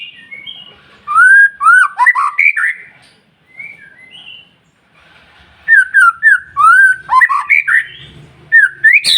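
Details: Singing white-rumped shama used as a lure to rouse other shamas: rich, fluty whistled phrases that slide up and down, a quiet gap midway, then another burst of varied whistles ending in a sharp high note.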